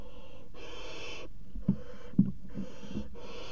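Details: Barn owl pair at a nest box in a water tower, February 2018, mating on the edge of the box; two long rasping hisses, then quieter ones, broken by dull thuds from movement.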